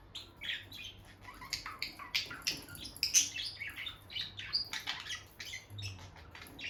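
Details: Bonded pair of caged peach-faced lovebirds near their nest box, female going in and out; busy high chirps and short squawky notes tumble in quick succession, some louder sharp peaks mid-clip, over faint low hum.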